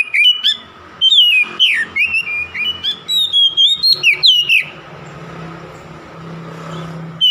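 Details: Oriental magpie-robin challenge song to stir a rival: varied whistled phrases with high upslurs and dropping slides, delivered in quick bursts for nearly five seconds, then quieter with a low hum before a final whistle.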